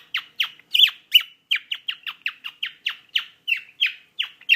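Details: Pet cockatiel singing "Jingle Bells" to its owner, indoors: steady run of short chirps, about three each second, each dropping sharply in pitch, with a few louder, higher notes near the start.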